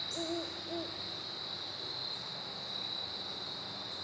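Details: Great horned owl duet recorded September 15, 2012: two short, low, arched hoots in quick succession within the first second, then only a steady high-pitched cricket chorus continuing throughout.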